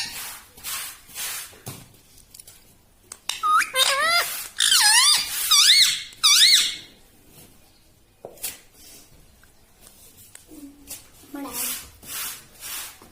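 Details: Talking pet parrot, said to repeat "mitthu" and "mummy": a cluster of squeaky wavering syllables mid-recording between quieter clicks and rustles, with a faint low squeak later.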